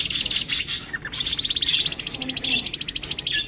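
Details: Male canaries in a chorus, each singing his own song to impress; opens with buzzy chattering notes, then a fast, even, high-pitched trill of clear repeated pulses, roughly seven per second, lasting about two seconds.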